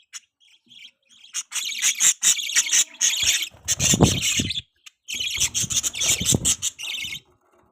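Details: Baby budgerigar, recorded 23 December 2023, chirps in dense, scratchy bursts of high, rapid notes, pausing briefly midway, with low rustling and handling sounds.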